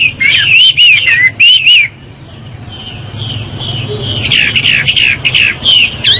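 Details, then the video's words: Chinese hwamei singing in the morning: loud, varied whistled phrases, rich and slurred, with rapid repeated notes; after a short pause the song resumes in fuller, sweeping runs. "Họa mi hót buổi sáng cực hay"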